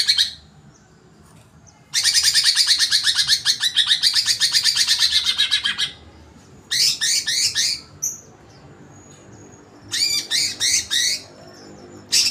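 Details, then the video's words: Greater green leafbird, agitated, with a long four-second run of rapid buzzy chattering notes followed by shorter bursts of sharp downslurred chips separated by pauses. "cucak hijau emosi."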